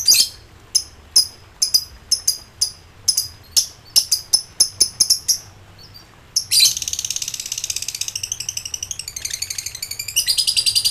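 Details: Highly excited lovebird calling out to rivals: a run of separate sharp high chirps for six seconds, then a sudden loud, continuous ngekek chatter of rapid buzzy repeated notes that lasts to the end.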